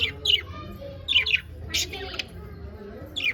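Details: Happy pet budgerigars give quick, bright chirps in twos and threes about a second apart, with one harsh scratchy burst midway.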